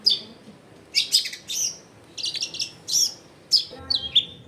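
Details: Long-tailed shrike in lively song, recorded at a home in a crowded neighbourhood. Scattered groups of sharp, high chirps and squeaky notes separated by short pauses, with quiet background hum.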